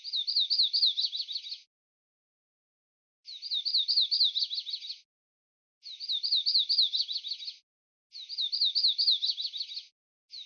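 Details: Warbler singing: four high, hurried phrases of about 1.7 seconds each, separated by gaps of roughly a second, plus the start of a fifth. Each phrase runs from looping slurred whistles into a scratchy, jumbled ending. No background sound.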